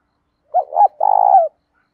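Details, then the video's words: Spotted dove 'thúc dút' cooing, 'đồng pha tí thổ' voice, meant to train and rouse other doves; a clean phrase of two short hoots leading into a sustained, rapidly pulsing coo that tails downward, no background noise. "cu gáy thúc dút cực chuẩn, giọng đồng pha tí thổ"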